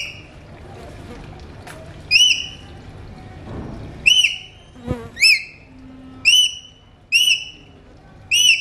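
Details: A pet Alexandrine talking parrot whistles clear, ringing notes, each with a quick up-and-down bend, repeated at uneven intervals about every second or two, over a faint low hum.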